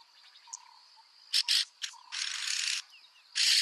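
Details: Rasping, broadband hisses from a yellow-billed oxpecker: two short bursts, then a long rasp lasting under a second, then another rasp. A continuous high-pitched insect whine runs throughout.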